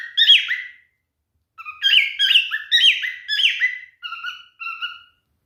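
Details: Male cockatiel courting indoors: a single chirp, a pause, then four quick descending chirped swoops followed by two clear, level two-tone whistles that end the phrase.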